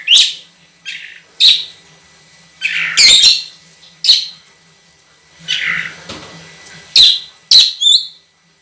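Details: Tutor recording of an actively singing Oriental magpie-robin with long, clear phrases. Scratchy rasping notes alternate with sharp high whistles and short chattering runs, spaced by gaps of about a second.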